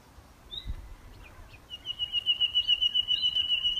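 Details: Common Nightingale singing outdoors on a May Day morning; after a brief faint note, a high, rapidly pulsed note begins near the middle and is held steady, swelling in loudness to the end, with quiet rural background.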